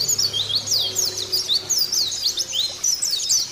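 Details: High, rapid chirping song of a caged white-eye, used as a prompt to get other caged white-eyes singing; sharp, slurred whistled notes tumble in quick bursts over a low hum.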